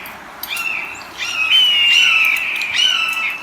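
A Red-shouldered Hawk gives three high, clear, slightly falling screams, the middle one long and drawn out, with a faint hiss behind.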